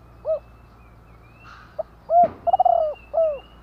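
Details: Spotted dove cooing: a single hollow coo, a short pip, then a loud round coo, a bubbling rolled coo and a final falling hoot, with a faint whine in the background.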